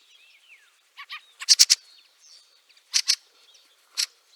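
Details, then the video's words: Fieldfare recorded in snow at Liepāja, Latvia, during March 2023: softer clipped notes lead into loud harsh chack bursts in threes and pairs, with a final single chack over faint thin whistles. "PELĒKAIS STRAZDS /Turdus pilaris/. 3 daļa. SNIEGS."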